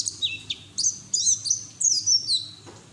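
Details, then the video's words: Fast, high twittering of a white-eye, played as training sound to get other white-eyes singing, with slurred whistles and quick trills running together. "PLECI NGERIWIK TELER BUKA PARUH NGALAS UNTUK TERAPI PLECI BAHAN"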